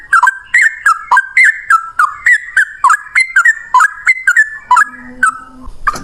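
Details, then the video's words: Loud, fast 'ropel' song of a yellow-vented bulbul in a single long breath: evenly paced run of whistled notes, each a quick dip and rise, about three per second, ending with a low hum and a click. "Burung trucukan gacor ropel 1 nafas panjang volume cucak rowo"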